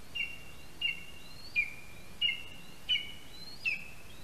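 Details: Calling male lesser spotted eagle at a nest in a spruce in Latvia, summoning his mate after bringing a mouse, 13 August 2021, morning. A steady series of six high, slightly falling whistled yelps, evenly spaced, over low rushing noise.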